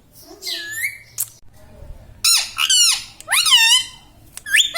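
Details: Laughing talking pet Indian ringneck parakeet: a soft whistled note, then quick bursts of raspy, wavering, harmonic phrases rising and falling, ending with a short rising squeak.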